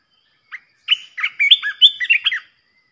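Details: Red-whiskered bulbul, a fierce decoy bird, singing to provoke other bulbuls: one short lead note, then a rapid warbled phrase of bright, slurred, whistled notes rising and falling, about one and a half seconds long, in silence.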